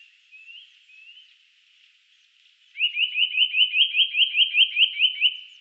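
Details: Eurasian nuthatch, 2018: two faint rising whistles, a short lull, then a fast ringing series of about fifteen rising whistled notes at roughly six per second, even and slightly accelerating.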